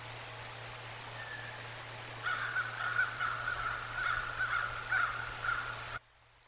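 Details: Bald eagles at the Decorah North nest during an afternoon visit, November 22, 2022: after a faint note, a run of high, thin piping chatter starts suddenly and continues for about four seconds above a constant low hum, then cuts off.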